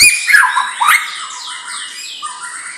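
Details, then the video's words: Champion-lineage white-rumped shama delivering a short song of slurred whistles, rising and falling sweeps and a few higher trailing notes, one after another. "Murai Batu Bibit Trah Juara"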